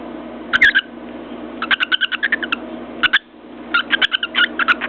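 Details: Cockatiel kept as a pet, sitting on its cage and pecking at a mirror: clusters of fast, bright chirping notes in short runs, broken by brief pauses and sharp tapping clicks.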